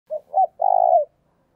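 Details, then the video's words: Spotted dove decoy call used to lure other doves: a short low hooted note, a second slightly rising note, then a longer steady coo with a fine throbbing texture, all mid-low in pitch, on a silent background. "tiếng cu gáy mồi chuẩn dùng kích bổi hiệu quả"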